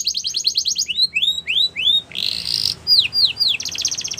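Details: Canary training song beginning with a rapid trill, then rising whistled slurs, a harsh buzzy burst, three falling whistles and a closing trill, with a low hum behind.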